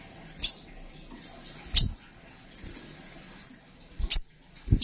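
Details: Van Hasselt's sunbird in captivity, recorded as a training tutor for other songbirds, gives sparse sharp high chirps and one drawn-out thin whistled note, separated by pauses, with thumping knocks underneath.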